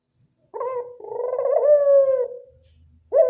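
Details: Local Barbary dove (burung puter) giving its classic cooing: a long, throaty, rolling coo that swells and then slides slightly down, with a quieter short note after a pause and the start of another coo.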